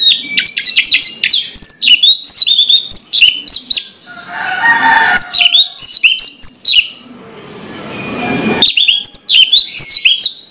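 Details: Orange-headed thrush in full morning song, pouring out dense rapid chirps and slurred whistles in long runs, with two short gaps filled by a soft rushing noise.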